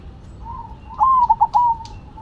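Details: A zebra dove, Cemani or Silver variety, singing actively: a faint lead-in coo, then a short burst of rolling, bubbly coos with a stuttering middle, ending in a drawn-out soft note.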